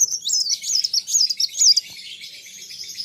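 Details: Sunbird in full voice facing a rival, pouring out a quick run of thin, twisting high notes for about two seconds before the sound drops to a soft, fainter trill.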